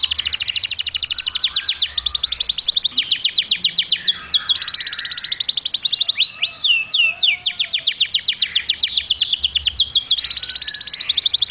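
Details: Canary in sustained song, long rolling trills of rapid repeated notes at a steady high pitch, broken by a few loud swooping slurred whistles in the middle, then trilling resumes; no other clear sounds.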